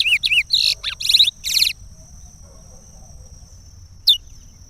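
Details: Chestnut-bellied seed finch singing the Pará regional song used to teach chicks: a quick run of whistled, rising and falling notes with buzzy bursts for under two seconds, then quiet with one short sharp note and a steady high tone.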